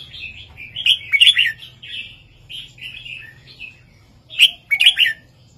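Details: ['Red-whiskered bulbul giving a southern 3-4-5 master song for training caged birds: lively warbled phrases, a quieter middle stretch, and a loud, chattering closing phrase.']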